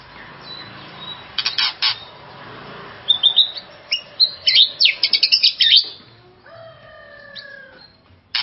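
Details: White-rumped shama song played to excite another shama: scattered harsh chips, then a rapid burst of sharp high notes, followed by several clear level whistles descending in a short series.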